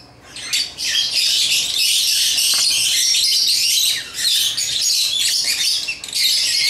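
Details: Several African lovebirds chatter continuously while playing with toys, a shrill, scratchy stream of rapid chirps and squeaks, with a brief lull near the start.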